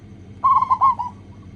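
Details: Local zebra dove singing as a lure to set other doves calling: a single loud phrase of four or five quick, rolling, mellow coos that fades on the last note.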